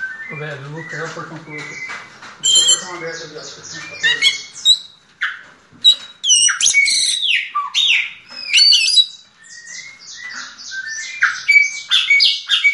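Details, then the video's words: After a person speaks briefly, a yellow-legged thrush of the diamante negro song style bursts into quick high phrases, sharp squeaks, trills and clear whistled notes, broken by short pauses. "Sabiá una diamante negro cantando!"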